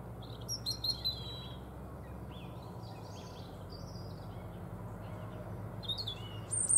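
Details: European robin singing a run of short, high, thin whistled phrases that rise and fall, spaced unevenly across the recording, with a constant low background hum.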